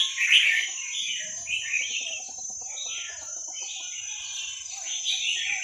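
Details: Red-whiskered bulbul from the wild in Vietnam, used to train young birds by listening: continuous rolling, chattering warbles and short liquid phrases, backed by a steady shrill high-pitched drone.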